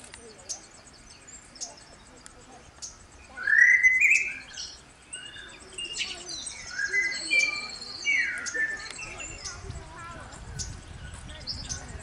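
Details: Mourning warbler recorded at Collingwood, Ontario, Canada: a loud burst of rich, rapid chattering notes just before the four-second mark, then a softer run of repeated warbled phrases from about six to eight and a half seconds, over faint steady insect ticking.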